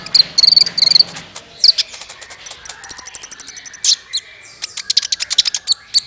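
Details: Sunbird calls used as a lure for trapping: trilled high chirps, then a steady run of even, sharp ticking notes, followed by scattered tweets, over a faint low hum.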